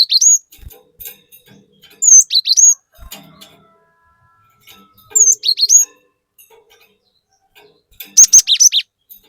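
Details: ['Cinereous tit singing energetically as a provoking lure, with four short bursts of bright, dipping whistles spaced irregularly about two to three seconds apart, ending in a dense rapid flurry.']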